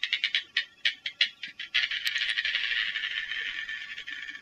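A darter gives a dry, clicking rattle: a dozen quick harsh pulses, then a continuous grating chatter that slowly fades.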